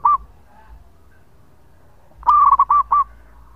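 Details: Local zebra dove singing actively with a long song, recorded for use as a lure: a brief fluted note, then after a quiet gap a loud phrase of quick rolling coos breaking into separate rounded notes.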